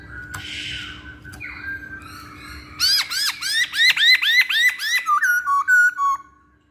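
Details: Masked laughingthrush song used as a lure to make other birds sing: a fast series of loud, clear arched whistled notes, about four per second, then lower slurred whistles, after softer rustling sounds.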